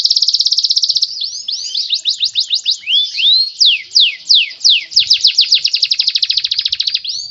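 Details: Canary song in the cengkok style: loud, fast high trill of repeated notes, then sweeping whistled slurs and a rapid run of rising chirps, steady rhythm throughout, no other sounds.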